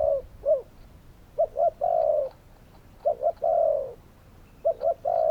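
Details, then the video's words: Spotted doves calling: repeated phrases of two short low coos followed by a longer, drawn-out coo, the pattern heard three times. "Spotted doves calling!"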